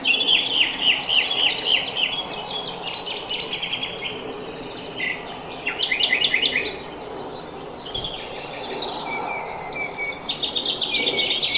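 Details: Small songbirds singing at quiet dawn: bright rapid chirps and high twittering trills repeated in quick bursts, with several voices overlapping over a soft, steady outdoor background hiss.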